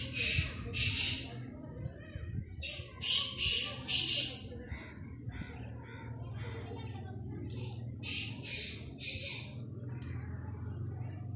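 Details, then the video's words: Black francolin calling in a hunting setting, giving harsh, grating notes in clustered bursts of three or four, repeated several times, over low rumbling background noise with some voices. "Titer ki best awaz, Kala titer, black francolin calling for hunt"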